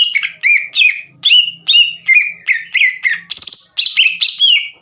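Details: Green leafbird (cucak ijo) in full, energetic song meant to provoke rival birds into singing: loud sharp whistled notes about every 0.4 seconds, each slurring down into a short steady tone, with one buzzy, rattling note midway.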